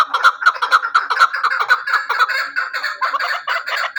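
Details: Hunting chukar partridge calling a loud, rhythmic series of throaty chuck notes, about four per second at first, blurring into a continuous rolling chatter later.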